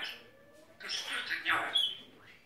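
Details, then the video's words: Grey parrot talking indoors beside its owner, who scolds it just before; a jumble of speech-like squawky syllables and a brief clear whistled tone near the end. "Жако разговаривает"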